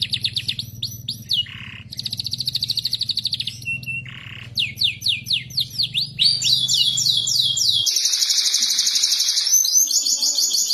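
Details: Canary singing in the morning, played as therapy to get silent canaries singing: fast repeated trills of downswept high notes that shift between phrases, one steady rapid rattle near the end, over a low hum that stops partway through.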